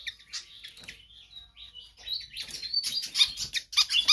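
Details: An energetic Pied fantail sings, offered as a training or lure track for other birds. Soft scratchy notes and a thin wavering whistle build into loud, rapid high chips toward the end, over faint background rumble.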